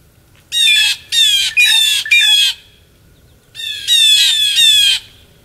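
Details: Harsh, nasal jeers from blue jays during a winter feeding frenzy in Maine, United States, December 2023: a rapid run of four rasping calls, a pause, then three more in quick succession.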